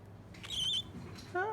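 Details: A pet cockatiel named Virgil gives one brief, high, thin whistled note lasting about a third of a second; a man's voice speaks before and after.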